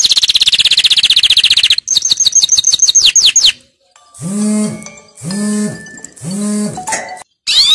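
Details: Canary training song: a dense high trill, then quick descending whistled notes, followed by three separate low, harmonic-rich drawn-out calls and a final burst of high trilling.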